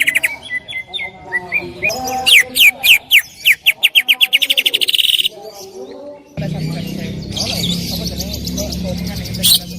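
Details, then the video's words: Greater green leafbird song used as a training recording, loud and varied: phrases near 2-4k, then a rapid run of about fifteen sharp repeated notes, a pause, and a burst of mixed chirps over low background hum. "Masteran cucak ijo gacor full tembakan suara keras"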